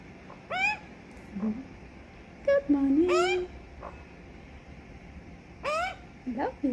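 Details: Australian magpie family of adults and a young bird visiting a balcony on a Sunday morning, caroling for bonding and greeting; rapid warbled phrases mixed with low gargling notes, short bursts with pauses, a person talking nearby.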